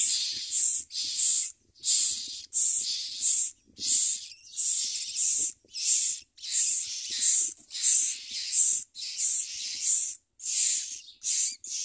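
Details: Common myna chicks being fed worms and locusts by their parents, giving harsh, hissing begging calls in steady bursts about every two-thirds of a second, each rasp dense and high with a loud shrill core.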